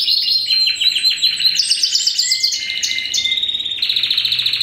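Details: Canary from a 2015 first-generation Spanish Timbrado x wild canary breeding line delivers quick chopped trills, then a brief lower sustained whistle, before returning to rapid high rolling phrases.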